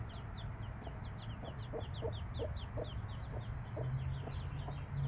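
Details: Busy peeping of five-day-old chicks, high and falling, nearly nonstop, with a series of evenly spaced low clucks from the mother hen in the middle, over a steady background hum.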